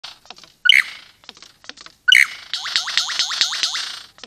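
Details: Male superb lyrebird, wild on a private property, mating with a female; two sharp, loud whistled bursts, then a rapid run of about seven repeated downward-swept ringing notes, with softer clicks and chips between.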